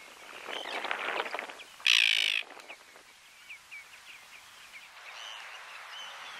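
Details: An Arctic tern gives one loud, harsh, grating screech amid rougher rasping calls, then a thin run of quick high chips, on Flatey, Iceland, in June 2019.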